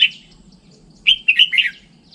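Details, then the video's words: Red-whiskered bulbul giving a single short phrase of three or four quick liquid whistled notes, slurring downward, after a brief isolated note; steady low hum in the background. "Tiếng chim chào mào chuẩn"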